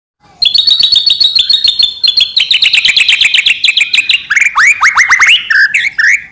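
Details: White-rumped shama in full song, used to provoke other shamas into singing: a fast run of sharp repeated high notes that slides into lower, looping whistled phrases near the end.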